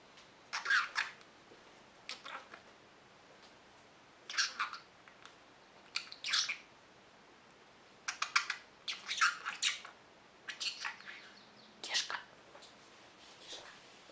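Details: Male pet budgerigar saying 'good morning' in short, scratchy, high-pitched bursts of imitated words. He says it each morning when the curtains open and the light comes on, or in reply to a greeting.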